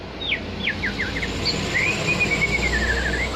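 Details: White-rumped shama (murai batu) of the Aceh type, lure song meant to provoke other birds: a short run of quick descending chips followed by a long, thin, wavering whistled trill, over steady background noise.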